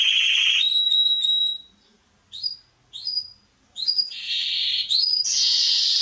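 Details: Canary (Serinus canaria) song used to train young birds: a low buzzy roll, clear repeated whistled tones, gaps between short rising chirps, then dense high rolling trills.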